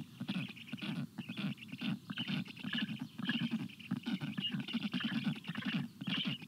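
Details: Hot-day water begging by black stork storklets, June 2022: quick rasping pulses, nearly two per second, in uneven runs with breathy whistled wheezes rising above them.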